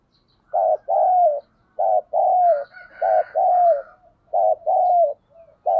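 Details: Decoy spotted dove calling to stir males into cooing: a steady series of two-part coos, a short note and then a longer falling one, repeated about every 1.3 seconds, with fainter higher calls from another bird behind.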